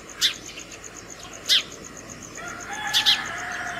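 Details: Morning house sparrows at a home hanging feeder, calling others to food: four short, harsh cheeps at irregular intervals, the last two close together, with a faint tonal hum entering partway through.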